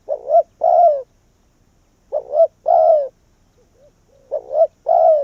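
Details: Decoy spotted dove luring wild doves in: three phrases, each a quick two-part coo followed by a drawn-out, slightly falling croo, separated by pauses of over a second.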